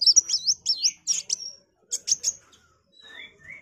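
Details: Energetic sunbird song, called kolibri wulung, used as tutor material for magpie-robins: rapid looping high warbles, a brief gap, a few bright clipped notes, then thin rising whistles fading out.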